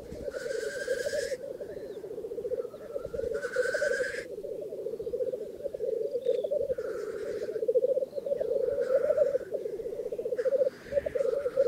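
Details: Black grouse at a lek in northern England keep up constant low bubbling cooing. Loud rasping hiss-sneezes recur every few seconds, some long, others short.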